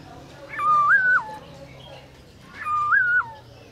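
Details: Black-throated laughingthrush singing at midday, forest-voice style: two softer, moderately distant whistled phrases, each stepping up then falling away, about two seconds apart over a low background hum.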